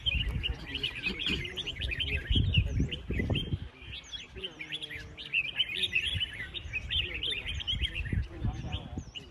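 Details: Many caged Red-whiskered Bulbuls sing at once at a bird-singing contest at the start of the year, a dense, overlapping jumble of bright, quick chirps and warbles, over low crowd murmur and voices.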